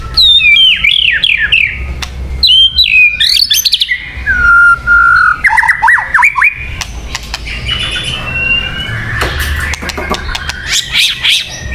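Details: White-rumped shama song meant for luring birds: looping whistled phrases, quick downslurred notes, buzzy clicks and mimic-like chatter in a varied, nonstop stream.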